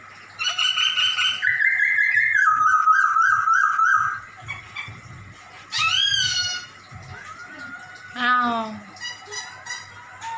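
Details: Black-throated laughingthrush (poksay Hongkong) singing actively in cat-like mimicry, used as a training recording for other birds: bright sustained whistles that step downward, then two sharp meow-like harmonic sweeps that slide down in pitch, with quiet gaps between.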